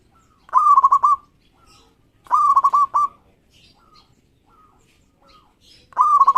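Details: Local zebra dove singing keenly to make rivals call back: three quick phrases of fast, bubbling coo notes, with faint, distant single coos between them.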